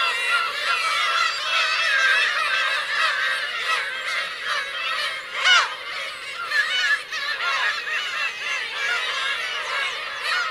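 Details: Teuri Island, Hokkaido, Kurosaki coast, 17 June 2021: a black-tailed gull colony of parents and chicks gives a continuous chorus of mewing calls, one sharp, loud cry breaking through midway.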